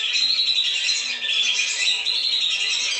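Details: Lure sound of lesser whistling ducks: a thick, constant chorus of high whistles and twittering from a large group, no pauses.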